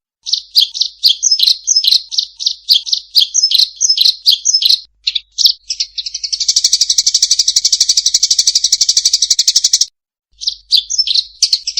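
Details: Eurasian tree sparrow fighting, clear-voiced: quick high chirps in uneven bursts for five seconds, then a long rapid buzzing rattle of about three seconds, a pause, and more clipped chirps to finish.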